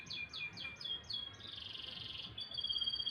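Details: In the morning a canary delivers a run of quick downward-sliding chirps, then a dense buzzing trill, ending on a clear sustained high tone.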